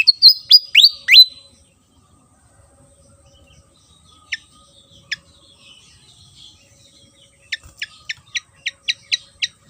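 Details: Javan fantail (sikatan jawa) singing on Java: an opening burst of loud swooping whistles, a quiet pause with occasional sharp notes, then a fast closing string of about eight high chips.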